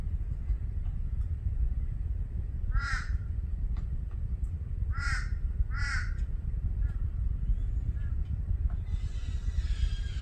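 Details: Torresian crow (Corvus orru), call.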